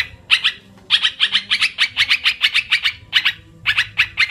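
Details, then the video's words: Olive-winged bulbul lure recording for trapping birds: short bursts of scratchy, quickly repeated notes, each burst lasting about a second and separated by brief silences, over a faint low background hum. "suara pikat burung TRUKAN//merbah belukar,karuwang"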